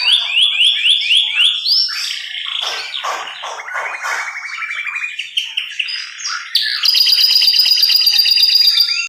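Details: Canary performing continuous varied song: repeated rising whistled notes, harsh rattling passages, a lower even trill, and a final long bright high trill, all loud and unbroken.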